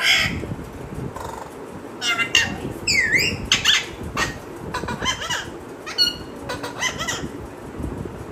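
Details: Parrot chattering rapidly: a run of squeaks, whistled slurs and one strong V-shaped rising-falling call, mixed with clicks and steady background hum.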